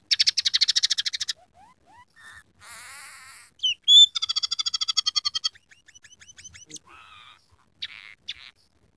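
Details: Vigorous scaly-breasted munia song holding imitated phrases of canary, house sparrow and red siskin. Dense rattling trills alternate with upslurred whistles, a buzzy warble, a bright pure whistle and scattered chips.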